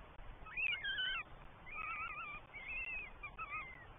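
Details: Three Northern goshawk chicks at a New Forest nest, England, on 20 May 2023, fed first by the mother then the father, give shrill, wavering, squealing cries in four bursts of half a second to a second, over soft rustling.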